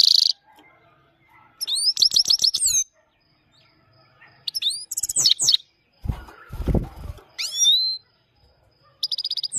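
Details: Himalayan goldfinch singing in a rolling style: bright, high twittering bursts of rapid sweeping notes, broken by short pauses, with a brief low rustling thump midway and a final trilled phrase.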